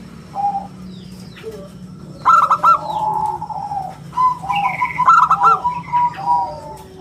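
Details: Zebra dove of the local type, singing prolifically in a round, crystal-clear voice used as a lure and tutor for other birds: two stuttered, clipped cooing phrases ending in steady held notes, with faint chirps and hum behind.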